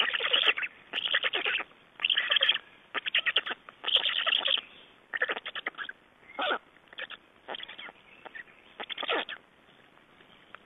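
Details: Black storks at their nest in Estonia on 3 June 2011, during a nest exchange and feeding: dense runs of harsh, rasping bursts, some rapidly stuttered, in clusters spaced about two seconds apart over the whole stretch.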